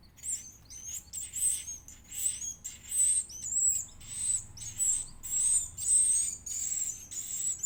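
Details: A chick of the edible-nest swiftlet begs while fed: continuous high-pitched chittering chirps pulsing about twice a second, steady and insistent throughout with no other sounds.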